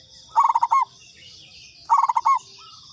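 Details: Two stuttered cooing phrases from a local zebra dove, about one and a half seconds apart. Each is a tight run of soft pulsed notes with a sustained ending, followed by a faint, short, higher call.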